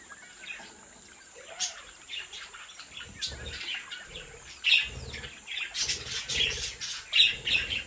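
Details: Budgerigars bred at home keep up a lively stream of twittering chirps and warbles that grows denser toward the end, with a faint steady hiss throughout.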